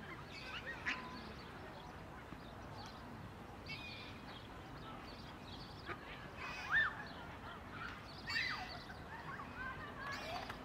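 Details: On 23 June 2023 in Tivoli Park, Ljubljana, a common moorhen (Gallinula chloropus) gives a few brief croaking calls at scattered intervals over a steady hiss of park noise and distant birds; Common moorhen.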